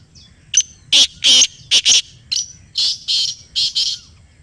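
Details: Black francolin calling in reply to a played call, loud and close: a sharp short note, then a steady string of eight or so harsh, rasping bursts, each roughly a third of a second long.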